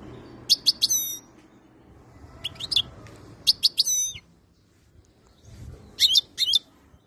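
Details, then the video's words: European goldfinch ready for mating gives short twittering phrases of bright, down-slurred notes, repeated in spaced groups, with a faint low hum behind. "تغريد الحسون جاهز ليتزاوج"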